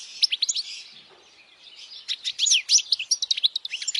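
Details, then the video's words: European goldfinch singing loudly, a recording meant for young goldfinches to memorize; rapid high twittering of chirps and trills, a brief lull near one second, then denser liquid warbling notes to the end. "Jilguero cantando fuerte para memorización los jilgueros /Goldfinch singing the best chirping sounds"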